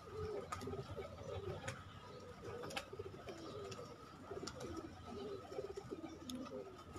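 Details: Kept pigeons from a hobby pigeon-keeping loft: low, rolling coos repeated steadily, roughly two or three a second, with a faint steady hum and occasional sharp clicks and knocks behind them.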